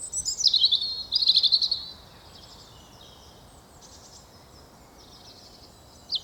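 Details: A European Robin sings from a tree overhead in Hainault Forest woodland, east of London, on a fine but chilly mid-April morning. It gives two quick, high, loud warbling phrases with sweet trills, then pauses; faint distant birdsong and hiss remain.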